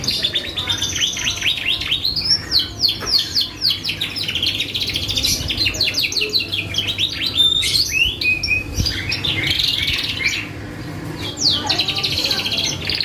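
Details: Canary in long vigorous song played as a lure to draw responses from other birds: steady stream of repeated descending sweeps and buzzy trills, fast and varied, briefly softening near the end before resuming.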